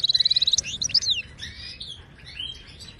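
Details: Moroccan goldfinch song for training caged birds: a burst of rapid identical pulsed notes, followed by tangled twittering phrases that gradually soften and trail away.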